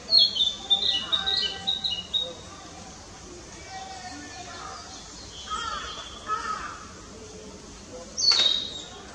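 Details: Narcissus flycatcher singing in Fuchu, Tokyo, Japan, on 4 May 2017, recorded with a Nikon COOLPIX P900. Several short, high whistled phrases come in the first two seconds, with softer notes later and one sharp note near the end, over a steady broad hiss.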